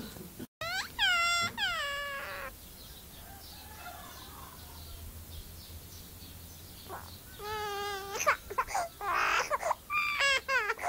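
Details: A myna that was always with a little baby boy mimics a crying human baby with wavering, rising-and-falling wails in two bursts early on, then more broken sobbing cries near the end.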